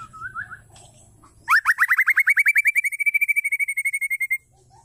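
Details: A female white-rumped shama calls to a male. After a few soft whistles over a low hum comes a long, rapid, even train of sharp upslurred notes that levels into steady repeated chips, about five per second, then stops.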